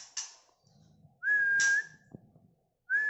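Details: Captive male White-rumped shama from Medan, after its second moult, giving long, clear, level whistles, each about half a second with a sharp burst at the start, while a man talks softly underneath.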